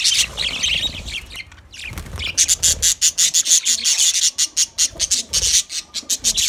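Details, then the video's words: Caged budgerigar chattering loudly: harsh, scratchy, high squawks, then a steady run of rapid, raspy pulses repeated about three times a second. "Beautiful Bird in cage Beautiful chirping sound"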